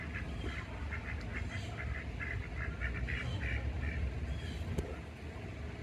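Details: Pekin ducks searching for bugs in bushes beside a screened porch in Oviedo, Florida, give a quick run of short, nasal quacks, about three a second, over a steady low rumble of wind or background noise.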